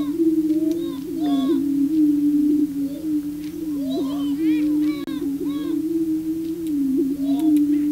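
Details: On the booming grounds, a male prairie chicken displays to attract a female. A continuous low, resonant booming drone runs throughout, overlaid by repeated rising whoops and cackles.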